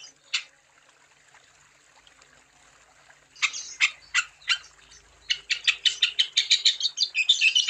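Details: Wambi bird song meant to stimulate other wambi: a lone sharp note, a quiet gap, then spaced harsh chips speeding up into a fast high chatter.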